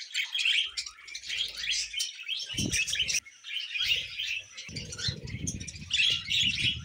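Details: Budgerigars kept as pets twitter and chirp in busy, high, overlapping phrases. A low rumbling background noise joins during the second half.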